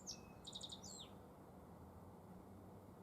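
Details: Black-faced bunting, Emberiza spodocephala, in spring at Tenjinyama, Sapporo, Hokkaido: one brisk phrase of a high chirp, a thin whistle, a short buzzy trill and a sliding downward note, then quiet low background noise.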